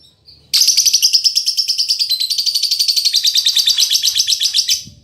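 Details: Female lovebird described as a fighter that chatters as busily as a male, used as tutor audio: after a faint note, a loud, buzzy, high trill of rapid pulses runs steadily for about four seconds, then stops.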